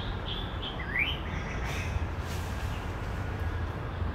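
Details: A male white-rumped shama, a skilled mimic of other birds, gives a brief burst of clear whistled notes and a quick rising slur, then falls quiet over a steady low rumble of background noise.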